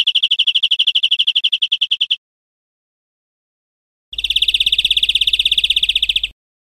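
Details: Two fast high trills of a European greenfinch, taken from a recording for training caged birds, each about two seconds long with a quiet gap; the second comes with a faint low hum.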